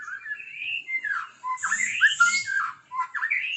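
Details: White-rumped shama singing in the morning, a quick varied run of bright whistled notes, slurred rising and falling, packed closely together with brief harsher bursts.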